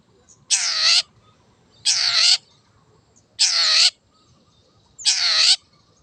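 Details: Wild long-tailed shrike giving four loud, drawn-out grating rasps, each about half a second long, spaced roughly every one and a half seconds, with quiet background between them.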